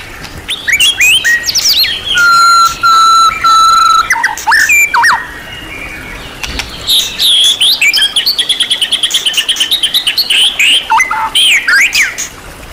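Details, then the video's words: White-rumped shama of champion class, whose full repertoire of imitated phrases (isian) serves as master training material: loud sliding whistles and long steady tones, then a rapid chattering run of quick repeated notes and twisting phrases. "MASTERAN MURAI BATU KELAS JUARA SEGUDANG MATERI | MURAI BATU FULL ISIAN MEWAH TERBARU BIKIN EMOSI"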